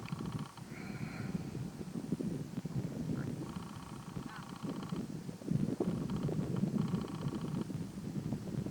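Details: Close-range red-necked falcon in Little Rann of Kutch, Gujarat, India, January 2020: a few rasping, buzzy call bursts alternating with a brief higher wavering note, accompanied by gusty wind rumble throughout.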